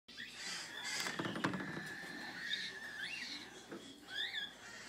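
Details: A baby Catalina macaw at feeding time gives thin, squealing begging cries that rise and fall, with a few soft thumps and rustles in the background.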